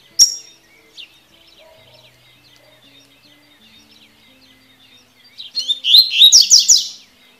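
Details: Tui tui song of a Double-collared seedeater, meant to train young birds: faint twittering and a sharp click, then about one and a half seconds of loud, quickly repeated upward-sweeping whistles.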